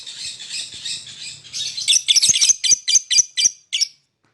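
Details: Lovebird chirping to lure other birds: a rough, squawking chatter that turns into about eight loud, clipped chirps in quick succession, ending abruptly.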